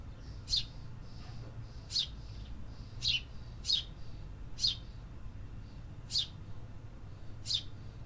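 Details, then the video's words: City birds singing: seven crisp, high chirps at about one-second intervals, with fainter softer notes between them and a low hum underneath. "Urban Birds Sound Effects"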